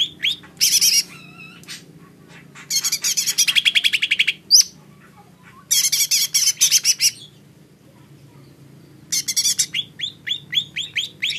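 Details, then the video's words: Lesser green leafbird alternating harsh, hissing high bursts with quick runs of crisp rising chirps, separated by quiet gaps, over a low steady background hum. "Suara burung cucak ijo mini"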